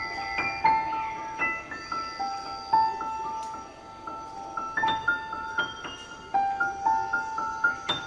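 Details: Bright mallet-percussion melody of ringing glockenspiel-like notes, with no birds heard.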